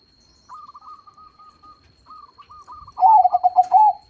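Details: Crossbred zebra dove, a loud-voiced, active singer: a soft run of even, hooked notes, then a strong rhythmic phrase of five pulsing, slightly falling coos.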